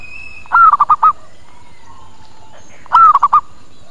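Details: Zebra dove luring call to bring birds close and answering: two bubbling phrases some two and a half seconds apart, a sliding first note then three or four quick gurgled notes, faint whistles behind.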